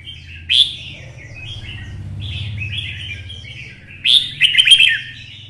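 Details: Caged red-whiskered bulbul with twisted voice, roused for song-fighting: a loud sharp upswept note, rambling mid-pitched warbles, then a strong jumbled outburst, over steady low hum.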